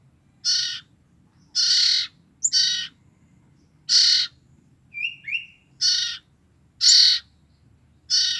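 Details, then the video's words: Two-week-old common iora siblings, used to lure the parent birds, give seven harsh, broad rasping bursts at uneven intervals, with a few faint short chirps between them in an otherwise quiet setting. "BURUNG CIPOH KAKA BERADIK INI EMNG LUAR BIASA BRU 2 MNGG DAH BERBUNYI SNGT BAIK UNTUK PIKAT INDUKNY"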